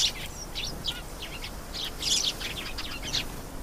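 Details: A canary sings a steady run of sharp, high twittering notes and quick trills with barely a pause, over a low background rumble.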